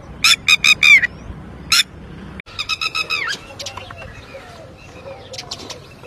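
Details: A red-wattled lapwing that has lost its chick gives loud, sharp, piercing notes in quick runs, then a fainter series of calls fading away among other soft bird sounds.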